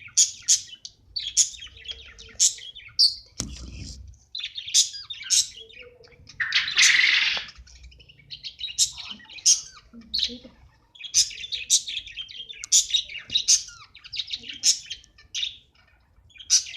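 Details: Budgerigars chattering during mating: rapid, high, scratchy chirps and warbles.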